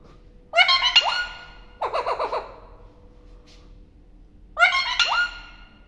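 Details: Pet parrot talking, uttering three harsh, nasal, speech-like phrases with a quick wavering middle phrase, separated by short pauses in a quiet indoor setting.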